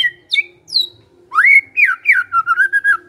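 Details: Magpie-robin in lively, vigorous song: a few short high whistled notes, then a loud rising whistle flowing into a run of rapid, clear, slightly falling warbled phrases.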